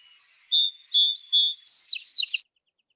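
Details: A Song Sparrow sings three clear, evenly spaced opening notes, then climbs into a higher, buzzy jumble of rapid notes over about two seconds; its song resembles a Bewick's Wren's but is huskier, lower and slower.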